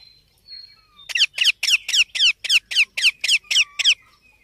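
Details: Baby Indian ringneck parakeet giving a run of about eleven harsh, high, scratchy calls, roughly four per second, each with a falling sweep, after a faint thin whistle; quiet background.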